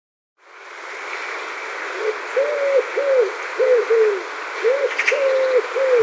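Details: A common wood pigeon (Columba palumbus) in Central Europe marks its territory in spring with a steady, monotonous run of soft, hollow cooing notes, each briefly rising and falling, over a constant background hiss and a faint high chirp.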